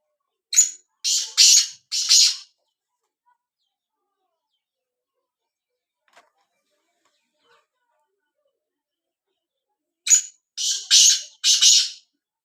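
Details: Black francolin calling: two bursts of four harsh, grating, buzzy notes, the first sharper and the rest longer, with about eight seconds of silence between them.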